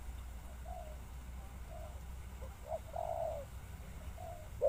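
A spotted dove gives soft, low, hollow coos in a short series, a little louder and more drawn out toward the middle, over a steady low rumble.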